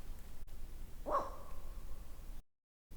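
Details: Ural owl giving one short, harsh, barking call with a hoarse tone around the middle of the clip, amid quiet low rumbling background noise, followed by a brief gap of silence.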